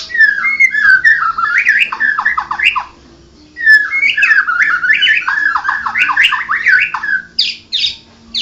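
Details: White-rumped shama, Medan 'blorok' type, singing two long bursts of rich, rapidly varied whistled phrases that slur up and down, broken by a short pause near the middle.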